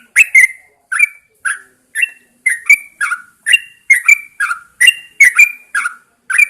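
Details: Chattering, gurgled notes from a caged Yellow-vented Bulbul hung outdoors in the early morning. The notes come singly and in pairs, jumping up and down in pitch, at a quick, uneven pace.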